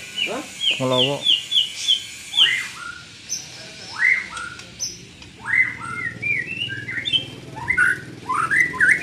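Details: Young white-rumped shama under mental training, with a run of repeated high whistles and a rapid low trill, then separate rising whistled and slurred phrases spaced about a second apart.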